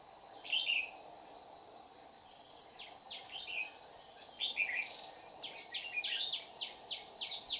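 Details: Red-whiskered bulbul at a trapping site in Đồng Nai, Vietnam, 30 July 2019, a wild bird coming down to threaten the decoy. Short warbled phrases and quick downward chips, with a steady high insect drone throughout.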